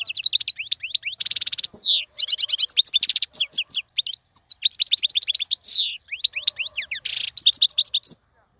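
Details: Long, lively European goldfinch song for teaching young birds to sing: continuous tumbling twitters, fast trills and downslurred whistles, with a few harsh buzzy notes mixed in.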